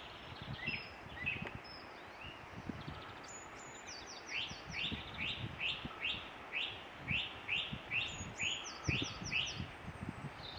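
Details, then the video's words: High, thin song of a Eurasian treecreeper, Ross-Shire, Scotland, 22 April 2016: rapid series of sibilant notes sliding downward into a short flourish, repeated twice, with steady wind noise beneath. "Treecreeper 2016 April 22 Ross-Shire"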